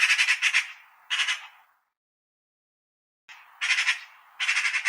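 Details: Eurasian magpie (Pica pica), chatter.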